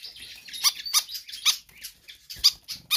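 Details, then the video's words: Pied fantail singing hard and without letup, used for training or attracting other birds: quick series of high, squeaky chip notes, roughly three or four per second, uneven in spacing. "Sikatan Kipas GACOR Ngotot"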